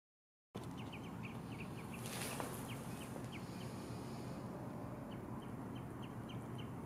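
Common greenshank giving rapid series of short, clear, mid-pitched 'tew' notes, about three per second, in bursts over a steady low rumble of wind or surf.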